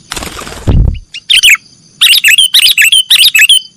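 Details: Sooty-headed bulbul singing in the nggaruda style, a recording for training cage birds: after a low rumbling thump, bursts of bright, chattering, warbled notes repeat in quick phrases, with a faint steady high tone behind.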